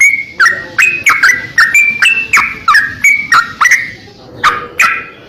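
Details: Vigorous greater green leafbird song from a tutor recording for training cage birds: rapid series of bright whistled slurs and upward-flicked notes, about two to three per second, each followed by brief crisp ticks, with a short pause near the end.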